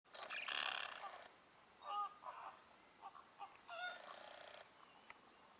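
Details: Greater flamingos at the Lagunska ribogojnica nature reserve on 4 January 2024 give nasal, goose-like honks: a loud gabbling burst, scattered single honks, then a second burst of clamour.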